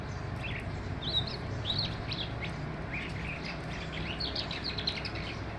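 A skylark pours out a continuous, rapid stream of high, chirruping and trilled notes, varied and unbroken, over a low rumble of wind.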